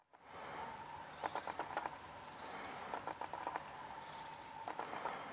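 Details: A foraging water rail in the Schafwaschener Bucht gives three quick bursts of five or six sharp, mid-pitched ticking notes about a second apart, over a steady background hiss.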